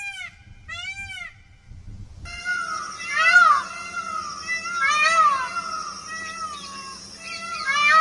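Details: Indian peafowl at Tharparkar, Sindh, Pakistan, give two loud, arching, nasal wails, then more overlapping drawn-out cries against a steady humming tonal background.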